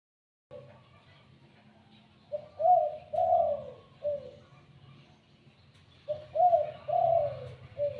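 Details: Spotted dove starting to call: low soft cooing phrases of two or three notes, the middle note stretched, repeated twice about four seconds apart over a quiet background.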